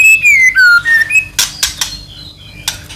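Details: White-rumped shama song meant to stir another shama into singing: a few falling and rising whistles, then sharp clicks and soft high notes.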